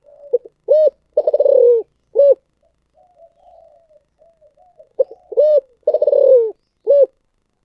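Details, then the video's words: Spotted dove singing in the thổ sấm voice style, two full phrases about four and a half seconds apart, each of brief notes, a trembling rolling coo sliding lower and a final hollow coo, quiet murmured notes in the gap. "chim cu gáy giọng thổ sấm chuẩn nhất"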